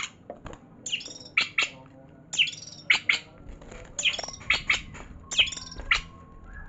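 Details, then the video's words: White-rumped shama singing: sharp, high chirps and quick clipped notes grouped in bursts about once a second, with short gaps between groups and faint clicks in the quiet background. "mainan murai batu"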